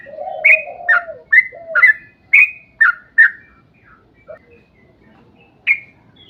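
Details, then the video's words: Yellow-vented bulbul singing as a lure for other bulbuls: a burst of about seven quick bright whistled notes over a low warble at the start, then near quiet and one last note. "trucukan gacor ROPEL PANJANG buat pancingan trucukan agar bunyi"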